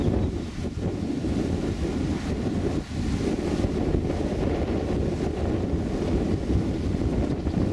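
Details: Heavy wind buffeting the microphone produces a constant low roar throughout, with no audible birdsong or other animal sound.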